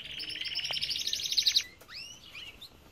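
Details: Aviary of Belgian canaries, a rapid buzzy trill lasting over a second, then a few rising upslurred whistle notes from nearby birds.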